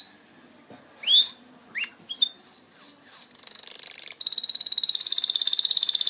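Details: Canary song starting with soft chirps and rising sweeps, three falling whistles, then a sustained, rapid high trill.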